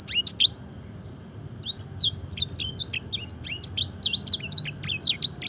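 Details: Canary song used for training, a fancy canary copying blackthroat phrases: a short burst of high chirps, a pause of about a second, then a fast, continuous string of bright, sweeping whistled notes and twitters.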